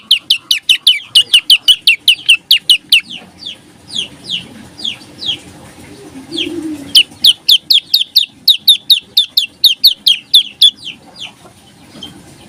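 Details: Olive-backed tailorbird singing an intense, tightly packed 'nembak rapet, ngebreen' song: fast runs of sharp, high chipping notes, about three seconds per burst, a few spaced notes in the gap, then another rapid burst.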